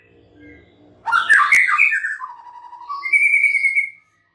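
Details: White-rumped shama singing a loud phrase of tumbling, varied whistles that slides lower, then ends with a sustained, steady clear whistle; faint low background hum before the song.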